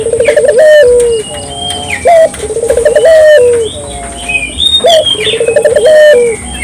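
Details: Barbary dove in full song, used to stimulate local doves to sing: a loud clipped opening note, a rapid rolling cooing trill, then a long drawn-out falling coo, repeated about every three seconds. Small birds chirp in the background.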